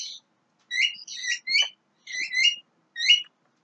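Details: A juvenile Javan myna sings clipped, slightly buzzy two-part chirps. They come in paired bursts about every half second to one second, with short silences between groups, against a clean, quiet background.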